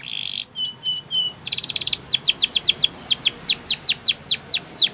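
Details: Spanish Timbrado canary, song used to train young canaries: a buzzy note and three spaced high chirps lead into a buzzy trill, then a steady run of quick descending sweeps.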